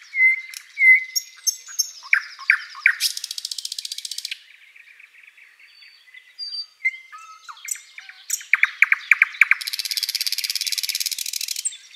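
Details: Thrush nightingale singing in a spring forest at sunrise: varied phrases of clear whistles, sharp clicks and fast repeated pulses, with two long, dry, buzzing rattles.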